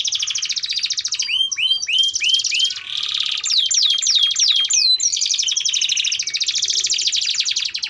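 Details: Energetic, sustained canary singing meant to teach young canaries their song; a dense, unbroken flow of rapid trills, arching whistled slurs and quick falling sweeps, varying phrase every second or two.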